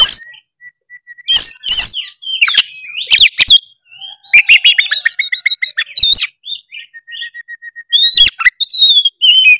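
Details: Singing oriental magpie-robin (kacer), played to get a quiet bird going: scattered whistles and sharp chips, a long thin steady tone, then a rapid rattling run of repeated notes and more slurred whistles.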